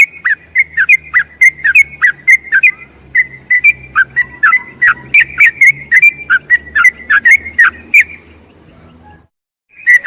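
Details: Yellow-vented bulbul giving a long rapid 'ropel' song used to tutor other bulbuls: clear whistled notes alternating with lower falling slurs, about three a second, over a faint low hum, breaking off into silence near the end.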